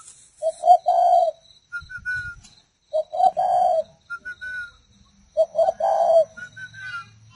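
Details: Tame captive spotted dove from a breeding pair kept for nesting and laying, giving mellow mid-pitched coo phrases of several soft notes, repeated about every two and a half seconds, with faint higher whistled chirps and thin tones in the background.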